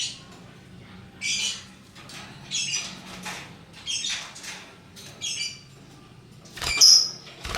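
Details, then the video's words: Colourful lovebirds make short, shrill squeaky bursts at about one-second intervals, ending with a louder sharp squeal. "Burung Lovebird Rupa Rupa Warnanya, Burung Paruh Bengkok, Bunyi Ngekek Gacor"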